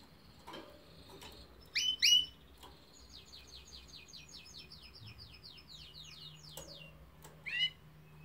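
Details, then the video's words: Canary with a few loud sharp chirps and a run of quick descending notes, plus softer clicks in a quiet room. "chant de canari magnifique تغريد طائر كناري رائع"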